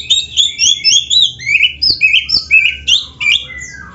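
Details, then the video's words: Oriental magpie-robin (kacer dada hitam) delivering a steady string of clear, varied whistled phrases, each a short swoop or slur, spaced roughly three per second in 'full isian' song style. "MASTERAN BURUNG KACER GACOR FULL ISIAN MEWAH"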